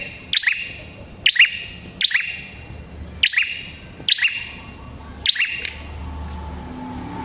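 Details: Prinia with a red head singing, lure sound for prinias: six sharp, bright chirp bursts under a second apart, then a quieter stretch with low background rumble.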